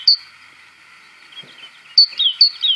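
Great tit giving thin, high chirps, one at the start and a quick pair after two seconds, followed by short falling notes over a steady faint hiss.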